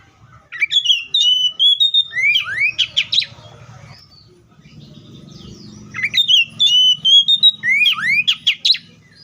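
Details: Oriental magpie-robin song in two bursts of rich, fast whistles and rising sweeps separated by a pause, with a low rumbling hum audible between and beneath the phrases.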